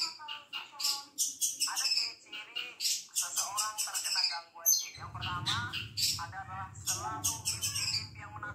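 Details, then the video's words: A pet shrike, a skilled singer, pours out a fast, varied song of scratchy chirps, whistles and chattering notes with no pause, joined halfway by a low steady hum. "BURUNG CENDET PANDAI BERKICAU"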